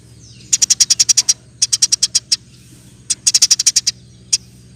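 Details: Eurasian tree sparrow singing in quick 'roll tembak' bursts for tutoring songbirds: three rapid strings of about eight to ten high, crisp chirps each, a lone chirp at the end, and a low mechanical hum throughout.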